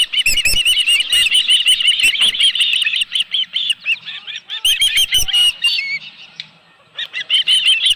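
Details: Osprey on a ranch nest with a live fish, calling in long runs of piercing, slurred, high chirps, nearly nonstop, broken by short gaps, with rattling and knocking sounds from the nest.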